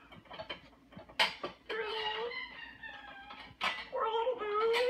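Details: A tired, grumbly pet Moluccan cockatoo that won't go to bed gives drawn-out, nasal grumbling vocalizations with wavering harmonic tones while banging metal dishes in a sink, with other birds screaming in the background.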